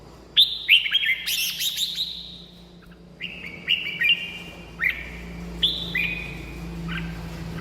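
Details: Red-whiskered bulbul song played to excite caged birds or to lure wild ones: a rich opening burst of whistled, warbling notes, then short bright two-part phrases sliding downward, repeated about once a second, over a low steady hum.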